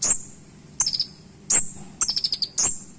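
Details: Kolibri ninja, the purple-throated sunbird, in a short burst of sharp song: loud piercing high notes alternating with quick stuttering chip series, roughly every half second, over faint low background noise.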